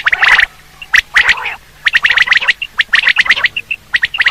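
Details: Quail call used as a hunting lure: dense runs of short, sharp whistled notes at an even pitch, some grouped in threes, mixed with a few harsher buzzy bursts and brief gaps.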